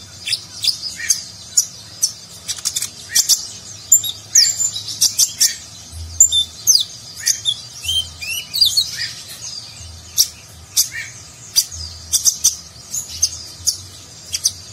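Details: Extended konin sunbird song in the nagen style, meant as a training recording for contest birds: continual high, sharp chirps and twitters, some rapid bursts, varied notes throughout.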